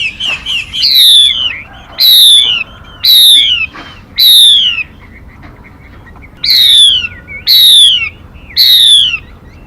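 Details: Female Mi bird calling as a trap lure: a few quick chirps, then bold downslurred whistles repeated roughly every second, with a quiet pause before three more.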